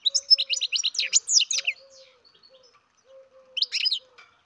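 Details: Young captive-bred European goldfinch twittering in a quick burst of high, liquid chirps for nearly two seconds, then a pause with only a faint low hum, then a brief second flurry of chirps.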